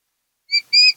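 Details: Osprey at a Kent Island, Maryland nest cam, 10 August 2018: a short high whistle followed by a longer, slightly rising whistled note, clean and clear with nothing else audible.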